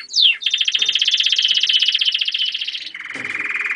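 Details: German crested canary producing a sweeping whistle then a long rolling trill for over two seconds, shifting to a lower, softer buzzy trill at the end.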